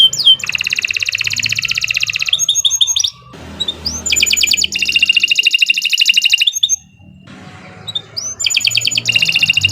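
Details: Canary song meant as training material for other birds: long, loud, rapid buzzy trills lasting several seconds each, broken by short rising notes and brief pauses, with a low rumble behind.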